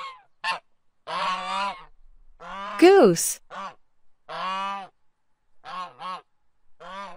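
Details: A farm goose honking: a series of nasal, harmonic honks, some drawn out and some clipped, with short pauses between them and one sharper rising-and-falling honk in the middle.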